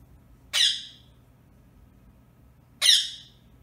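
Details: Caged Indian ring-necked parakeet indoors, giving two short, shrill, rasping screeches spaced about two seconds apart over a faint low room hum.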